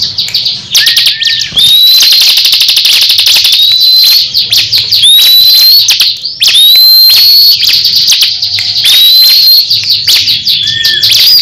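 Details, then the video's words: Crescent-chested babbler kept in a cage, competing in song with a rival ciblek; repeated upward-sliding whistles every two to three seconds over dense, fast buzzing trills, with short flat whistles. "Duel sengit cikris vs cisem saling adu gaya"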